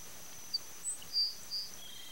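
A Swallow-winged Puffbird gives four thin, very high, short whistled notes spaced unevenly over about a second, over a steady high insect hiss.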